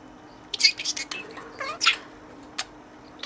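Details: Budgerigar talking to its toy companion inside its cage with learned words: a fast, tinny, slurred phrase of high chattered syllables lasting about a second and a half, then a single sharp squeak.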